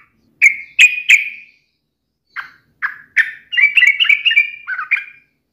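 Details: Yellow-vented bulbul taunting a rival: three ringing opening notes, a pause, two lower notes, then a fast gurgling warble sliding up and down.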